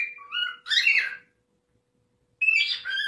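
A cockatiel gives a few gliding whistled notes, then a harsh, raspy screech; after a second of silence comes another screechy call over a faint steady hum.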